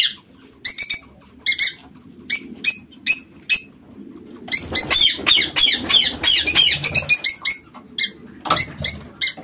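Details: Aviary lovebirds calling: spaced, shrill, harsh chirps, then a dense, excited burst of overlapping shrieks from several birds, easing back to spaced calls.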